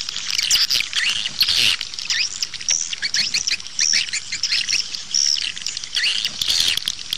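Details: Recording of swiftlets for luring birds to nest houses, heard as busy high twittering with clear rising and falling whistled chirps standing out from a chorus of many birds, plus a few brief lower rustling sounds.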